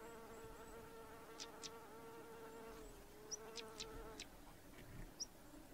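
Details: Pair of stonechats giving dry clicking tsak calls in quick little runs plus a couple of short high whistles, over a humming buzz that fades midway.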